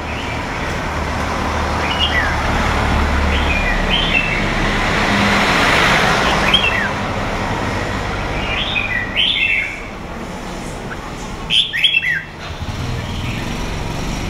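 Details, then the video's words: A wild-caught red-whiskered bulbul, held two seasons, from A Lưới, Huế, Vietnam, gives short, bright, warbled whistle phrases in scattered bursts over a steady traffic rumble. "Chào mào"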